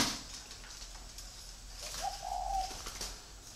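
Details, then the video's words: A single soft, drawn-out coo from a free-range breeding spotted dove on a farm in Ba Vì, Hanoi, set against a constant hiss. "chim cu gáy nuôi sinh sản thả rông"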